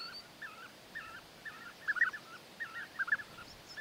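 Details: European bee-eater in courtship, the male presenting food gifts to win the female; soft, rolling trilled calls repeated about once a second, a few louder doubled notes in the middle.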